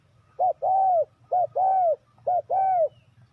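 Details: Lure spotted dove used for trapping wild doves, calling three times in quick succession, each a short soft coo followed by a longer, arched, mellow note.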